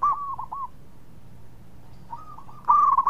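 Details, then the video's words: Local zebra dove singing in Indonesia: soft rolling coos, a quiet pause, then a louder rapid bubbling cooed phrase. "PERKUTUT LOKAL GACOR SUARA MERDU"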